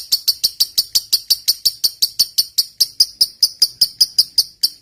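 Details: Fighter lovebird in long ngekek chattering song, used as a lure to prompt silent lovebirds to sing: about 26 sharp, high chirps in a steady rapid series, roughly five per second, with no other sounds.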